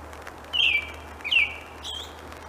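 An American robin sings two clear, whistled caroling phrases about a second apart, with a fainter third note after, over the steady hiss of falling rain.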